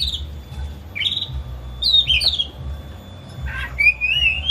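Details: Home-kept caged Oriental magpie-robin singing excitedly, tail spread, as a lure to make another bird sing out: clear whistled notes sliding up and down, one short buzzy burst, a low mechanical hum beneath.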